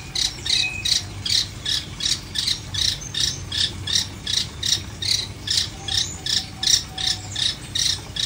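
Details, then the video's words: Long-tailed shrike, caged and uncovered, not somersaulting, gives harsh rasping bursts in a steady series, about two to three per second, over a low background hum. "Cendet No Salto - No Kerodong"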